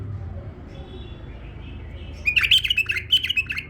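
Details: Pet male bulbul, quiet at first, then bursting into a lively, gurgling warble of rapid liquid notes lasting over a second.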